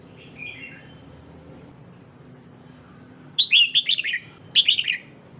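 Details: Soft, distant chirps open, then a female red-whiskered bulbul bursts into two loud clusters of quick, sharp chirping notes, calling to stimulate the male.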